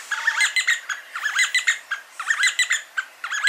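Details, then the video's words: D'Arnaud's barbets calling and duetting near Lake Baringo, Kenya, captured on a RØDE VideoMic: busy, rapid, chattering phrases of mixed rising and falling notes. The bursts repeat roughly every second in a steady rhythmic pattern, with no other clear sounds. "D'Arnaud's Barbet Calling and Duetting"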